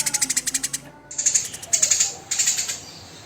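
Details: Tame, very vocal Eurasian tree sparrow giving coarse 'tembakan kasar' bursts: fast runs of sharp, high, buzzy chirps in quick repeated bursts separated by short pauses.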